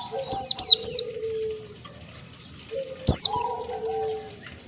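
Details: Caged-bird training recording of an oriental white-eye singing ngalas: a burst of three high, downward-sweeping chirps, a pause of about two seconds, then two more, with long low level whistles beneath.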